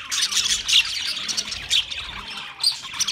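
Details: Australian parrots known as budgies, 13 March 2024: a short burst of loud, scratchy warbling and chirps with a few bright whistled notes poking through.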